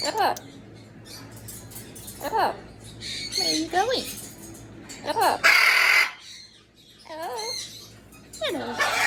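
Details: Amazon parrot talking in a run of speech-like syllables with bending, arched tones, broken by a harsh broadband squawk midway, indoors with a low constant hum.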